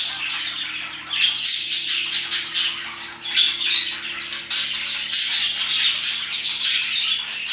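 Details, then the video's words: Parakeets chirping around 2pm. Rapid sequences of short, grating squawks come in choppy waves, with brief lulls near one and three seconds before the lively chatter picks up again. "Parakeets chirping and singing their hearts out"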